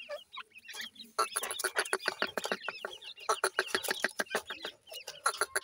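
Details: Grey francolin chicks giving a dense run of high, short chirps and peeps, several birds overlapping at about three calls per second, with soft clicks and scratchy knocks throughout.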